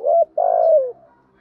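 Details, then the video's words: Spotted dove lure bird calling to draw wild doves: a short level coo followed by a longer vibrating coo that slides downward and fades. "tiếng chim cu gáy kích bổi mới"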